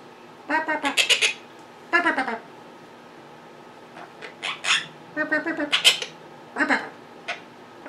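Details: Caged monk parakeets, very vocal at home beside a computer, making mimicking sounds: bursts of raspy, harmonic chatter in rapid strings of clipped syllables, separated by brief silences.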